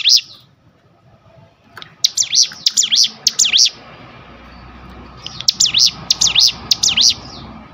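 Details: Ngebrem-style song of a Sunda bush warbler, meant for tutoring. An opening note is followed by quiet, then two bursts of four or five high, dipping and rising notes in quick succession.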